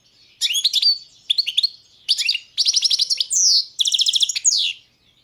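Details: Song of a European goldfinch, balcanica subspecies: rapid runs of high, liquid chirps and buzzy trills delivered in tight phrases, with sweeping downward slurred notes near the end and short gaps between bursts.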